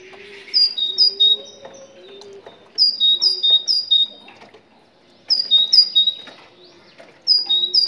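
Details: Moroccan tit singing, played to stimulate other tits to sing: bright, clear two-note whistled phrases in four bursts about two seconds apart, each of four to six notes, over a faint low hum.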